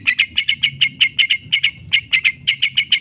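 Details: Chattering 'ngekek' song of a yellow-vented bulbul, meant as a lure to set other bulbuls answering: crisp, high, paired notes repeated rapidly and steadily throughout, over a faint low hum.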